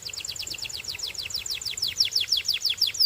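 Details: Belgian canary singing a regular chain of clear downward-sliding notes, roughly three per second, growing a little louder and fuller toward the end.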